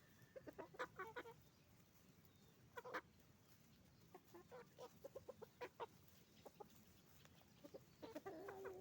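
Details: Flock of roosters and hens on a chicken farm: short, clipped clucks and squawks come in irregular clusters throughout, from several birds at once, over a low continuous farm rumble.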